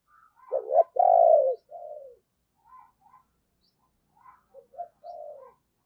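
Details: Decoy spotted dove giving thúc and gáy calls to lure wild doves: a loud, hoarse double coo with a long falling note, softer trailing coos, then a quieter repeat of the phrase.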